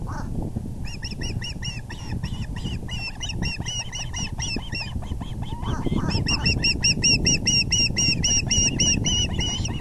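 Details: At the nest on April 6, 2020 around 6:30pm, with the male arriving with a large fish, an osprey gives a long run of sharp, bright chirps at about four per second, briefly pausing then resuming louder, over low rumble.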